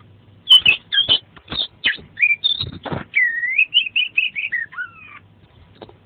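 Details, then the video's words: Kacer, the Oriental magpie-robin, singing an energetic fill-in-packed song used to train caged birds: sharp whistles and scratchy bursts, then a smooth run of sweet, slightly wavering whistled notes ending in a falling phrase. "Suara Burung Kacer Gacor Mantap Full Isian"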